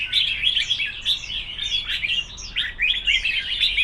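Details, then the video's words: Red-whiskered bulbuls competing in song, delivering a quick stream of lively whistled phrases and chirps, many notes sliding down sharply, packed closely one after another. "Chào mào đấu hót"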